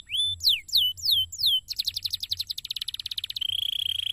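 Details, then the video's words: A canary sings in a cassava garden, in nature therapy meant to make canaries comfortable and sing: a few bold down-slurred whistles, then a quick chattering trill, closing on a sustained buzzy high note. "TERAPI ALAM DI KEBUN SINGKONG BIKIN BURUNG KENARI NYAMAN DAN MAU BUNYI"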